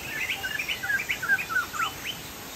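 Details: Chinese hwamei from Sumatra singing in a short burst: fast chattering whistled notes with a few down-slurred phrases, then two sharp rising-falling whistles to finish.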